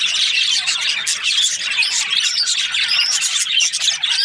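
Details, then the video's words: Australian parrots known as budgies in steady group chatter: crowded, scratchy chirps and short rising whistles running continuously. "Australian parrot Budgies chirping sounds"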